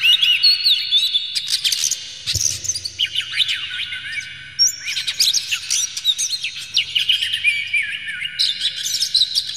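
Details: Oriental magpie-robin song used to provoke other magpie-robins into singing: rich, varied phrases of sharp whistles, rising and falling sweeps and quick trills, delivered in dense bursts with brief pauses, a low background hum beneath.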